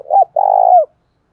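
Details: Spotted dove used as a lure bird, its loud call meant to provoke rivals into fighting, in a field-native voice style: a short throaty coo, then a longer rolling coo that slides down at the end. The background is clean.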